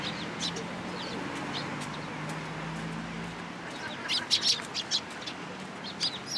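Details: Sparrows at a cherry tree at a Tenmangu shrine, 24 March 2023. Faint distant chirps come first under a low hum, then a louder burst of quick chirps near the end.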